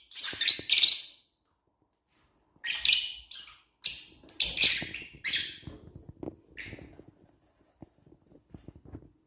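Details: Lovebirds kept in an aviary, giving bursts of shrill, harsh chirps high in pitch, with clusters of rapid notes separated by short silences and softer clicking sounds between bursts.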